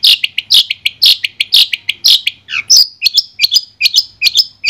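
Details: Long-tailed shrike from Madura singing a clean master song, with rapid rich, harsh high notes that turn into a series of sharp upward-slurred whistles, each repeated in quick succession.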